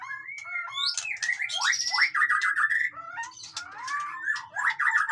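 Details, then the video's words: White-rumped shama singing noisily, a dense run of varied whistles, quick up-and-down slurs and buzzy trills mixed with harsh chattering notes, continuous throughout. "suara burung murai batu ribut"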